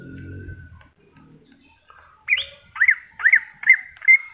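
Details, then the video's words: Low murmuring background first, then a greater green leafbird from a masteran recording gives five arched whistled notes in steady succession, about two per second. "Cucak Hijau Masteran"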